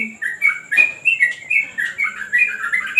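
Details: Short burst of yellow-vented bulbul song on a terrace during training, a string of bright, liquid warbled notes run close together.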